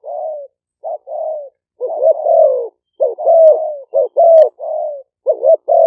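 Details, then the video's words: Captive decoy spotted doves of Malay strain, recorded live in Roi Et province, Thailand, calling to attract wild doves. Two birds sometimes coo together, giving mellow, slightly wavering coos in irregular phrases. The background is silent. "เสียงนกเขาใหญ่ คารม ปะทะ คารม"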